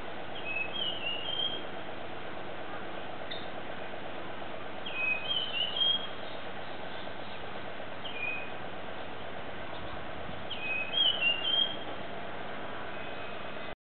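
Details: Japanese grosbeak recorded on a digital camera, giving short clear whistled phrases of a few rising and falling notes, repeated in bursts about every three to five seconds over a steady low background hum.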